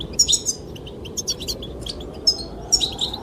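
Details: Goldfinches singing to attract the female: scattered bursts of thin, high chirps and twitters separated by short pauses, with wind rushing throughout.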